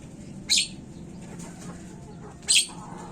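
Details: Javan myna (jalak kebo) lure sound to make birds call quickly: two short scratchy, hissing shrieks exactly two seconds apart, separated by quiet faint chatter over low droning noise.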